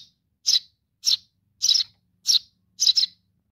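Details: Nestling sparrow calling for its mother, a run of shrill chirps about every half second, some split into rapid double or triple notes.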